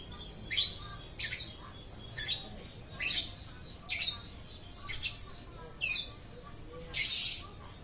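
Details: Lovebird calling nonstop, loud sharp chirps about every half to one second, ending in a harsher broad squawk, over low background hum.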